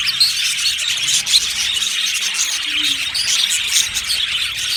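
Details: Aviary budgerigars chattering as a contented flock: constant high chirps and scratchy twitters from many birds, with a few louder squawky notes standing out.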